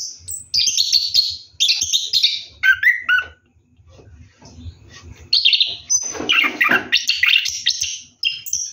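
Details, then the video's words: Orange-headed thrush singing while bathing at night, alternating high scratchy bursts with slurred whistles, a near-silent gap midway, then renewed harsh chattering and thin high notes. "KICAU ANIS KEMBANG NGEROLL MANDI MALAM"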